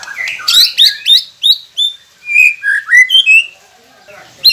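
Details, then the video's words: White-rumped shama song used to get quiet captive birds singing: a series of bright chirps and short whistled slurs, varied in pitch, spaced irregularly, with a pause near the end. "Murai Pendiam Cepet Buka Suara dengan masteran ini | shama bird"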